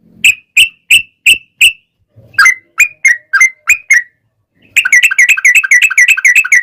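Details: Sooty-headed bulbul in energetic ropel singing, meant as a lure for other bulbuls: five evenly spaced clear chirps, then five down-slurred whistles, then a fast unbroken run of bubbly chattering notes.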